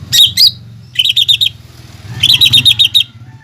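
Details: Masteran of a lesser green leafbird with imitations of fighting sparrow, lovebird and hummingbird: a couple of squeaky notes, then bursts of rapid warbling trills, accompanied by a steady low hum.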